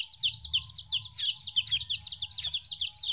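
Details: Young chickens aged 14 days, apart from their mother for the first time, calling together in a steady stream of sharp high peeps, each sliding downward, packed several per second over a quiet low rumble.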